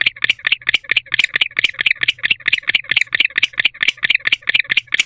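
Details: Barn owl male chirping from a nest box on an October evening, courting and hoping a female joins him; quick train of short, harsh chirps repeated roughly twice a second, evenly paced with a faint low hum beneath.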